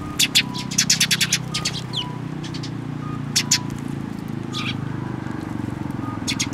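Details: Young Eurasian tree sparrows coming to a plum tree for food at a Tenmangu shrine on 25 May 2024; rapid runs of high chirps, then scattered single chirps over a low steady rumble.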